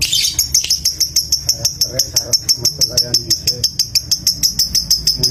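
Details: Fighter lovebird in a mental test, giving its ticking song: fast, even, high-pitched ticks repeated about three times a second throughout, with a steady high chattering tone over a low background rumble.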